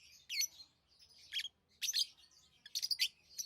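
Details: Tame lovebirds kept as pets chirp in three shrill, scratchy bursts spread over a few seconds, with faint softer twitters between the loud calls.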